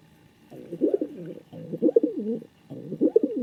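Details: Indoor male king pigeon hunting for a companion pigeon utters three rough, wavering coo phrases about a second apart, each twisting up and down in pitch.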